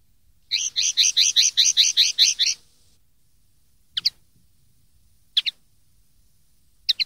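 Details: Common linnet phrase from a tutoring recording for young linnets: a two-second string of about ten quick twittering notes, followed by widely spaced pairs of short chips.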